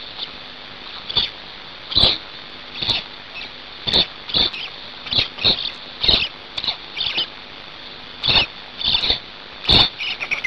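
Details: Hungarian black storks being fed at their nest on 5 May 2019, 17:02: rapid rasping, wheezy bursts come in uneven runs, often two or three close together, with a constant low hiss behind them.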